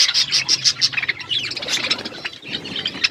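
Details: Pet budgerigars chirping while eating food; quick high chirps repeated about three times a second, with a busy warbling chatter behind them.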